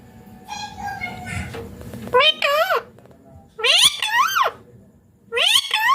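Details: A green Indian ringneck parakeet making natural sounds and talking: after a murmur of low voice-like sounds, loud harsh harmonic squawks come in wavering bursts of about a second, separated by short silences.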